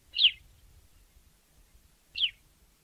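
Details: Sparrow from Africa giving two short, sharp chirps about two seconds apart, each a bright downward-slurred note, with quiet low rumble underneath.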